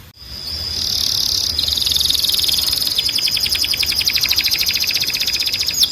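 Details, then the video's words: Timbrado canary singing a training song: a long, continuous rolling trill of rapid pulses. It starts buzzy, then grows brighter and more rhythmic, holding steady for several seconds over a constant thin high tone. "Canário Timbrado 🎶 Som de Alta Qualidade para Encarte e Treinamento"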